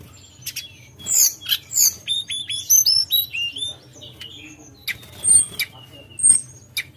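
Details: Javan whistling thrush in full song in the nyuling ngerol style: a quick series of pure, high whistled notes sliding down and up, framed by scratchy chirps and scattered clicks.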